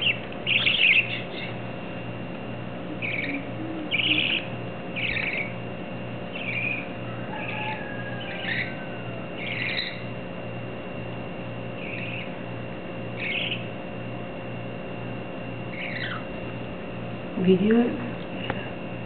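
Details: Four baby budgerigars aged 21 to 27 days, playing with a ball outside their nest box, give short, bright chirps and chattering notes at irregular intervals over a steady hum.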